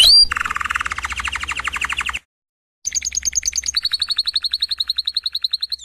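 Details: Canary singing a low buzzy rolling trill, breaking off into a short silence, then a fast high trill settling into a steady even rattle of rapid pulses.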